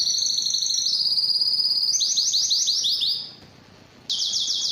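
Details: Canary delivering a sustained high rolling trill, then a run of swooping repeated notes, a short silence and a burst of fast trilling.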